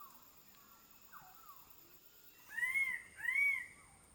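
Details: King bird-of-paradise (Cicinnurus regius, locally Gobi-gobi) in Badi Gaki Birds Sanctuary giving two loud, nasal, arched notes in quick succession, each rising then falling, after softer calls; a steady high insect whine runs throughout.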